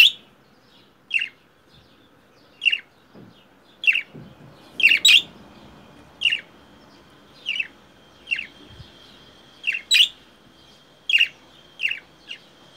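A budgerigar gives short, harsh, cawing chirps, copying a crow's call over and over.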